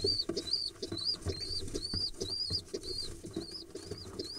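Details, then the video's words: Excited pigeon nestlings being fed, recorded 15 October 2021 from a second clutch: thin high squeals repeated about twice a second, each rising then dipping, with low rustles and pattering beneath. "These pigeon nestlings get so excited when they get fed"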